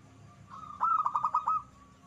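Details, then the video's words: Zebra dove used as a lure bird gives one short rolling coo: a rapid series of about six bubbling pulses near one pitch, over a low steady background hum. "PERKUTUT BUAT PANCINGAN, HITUNGAN DETIK LANGSUNG RAME"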